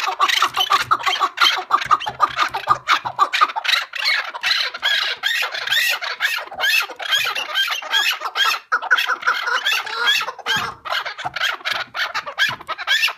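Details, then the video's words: Partridge calling in a dense, continuous series of harsh, scratchy notes, roughly two per second, overlapping into a busy chatter; birds in the recording are stated to be released back into nature. "KEKLİK SESİ MUHTEŞEM"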